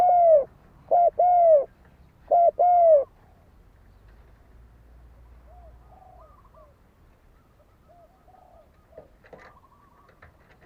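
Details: Spotted dove calling in fighting mode, used as a lure for a decoy bird. Three quick pairs of round, descending coos open, then only faint twittering of other birds fills the remaining seconds.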